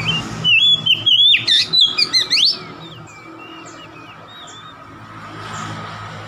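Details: Oriental magpie-robin song meant to provoke a rival: a two-second run of loud whistled and slurred notes, then faint softer distant whistles over steady low background hum.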